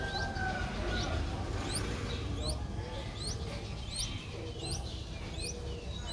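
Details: Streak-eared Bulbul nestling, five days old, Ubon Ratchathani, Thailand, 7 April 2023: rapid stream of thin, high rising squeaks, several per second and irregularly overlapping, over steady low rumbling background noise.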